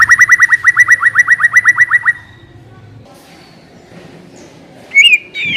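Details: White-rumped shama song played as a lure to start another shama singing: a fast run of about fourteen identical whistled notes lasting two seconds, then a quiet pause and a single loud twisting whistle near the end.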